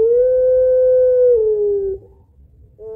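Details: A Barbary dove (puter pelung), used as a lure, gives one long, steady, hollow two-note coo of about two seconds that dips slightly near the end; a second coo starts just as the recording ends.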